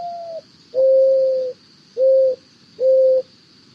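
Mourning Dove cooing: soft, low, steady hoots, a brief note then three longer level coos about a second apart, over a faint constant electronic hum.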